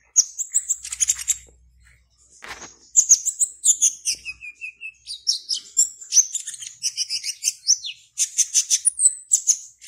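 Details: An Indonesian competition black-naped oriole, caged, from Serang in Banten, pours out a dense, nonstop medley of high twitters, thin whistles and buzzy rattles, with a short lull near two seconds.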